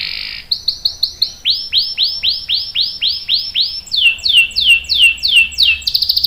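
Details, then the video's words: Canary song meant to lure other canaries and train young males: series of clear rising-then-falling whistled sweeps, a little over two per second, dropping slightly in pitch partway, ending in a quick high trill. "KENARI GACOR NGEROL panjang bagus untuk PANCINGAN dan MASTERAN paud | CANARY SINGING"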